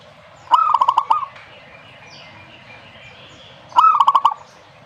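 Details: Zebra dove song: two phrases, each a short low coo followed by a quick rolling series of staccato pulsed notes, about three seconds apart, over faint background hiss.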